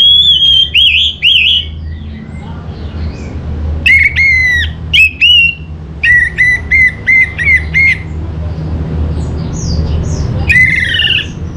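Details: Orange-headed thrush lure song: loud, clear whistled notes rich in overtones, including a run of about eight evenly repeated whistles, then a final burst of varied high warbling.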